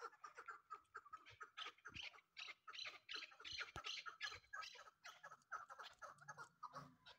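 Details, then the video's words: Local hunting chukar partridge calling with rapid, uneven chuckling notes repeated about three times a second, harsh and slightly nasal, with a few low thumps in the background. "دیسی شکاری چکور کے اواز"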